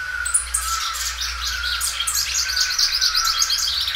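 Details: A loud-singing Belgian canary, repeatedly stretching out its song, gives a rapid, continuous stream of bright trills and chirps, high-pitched and varied, over a steady low hum.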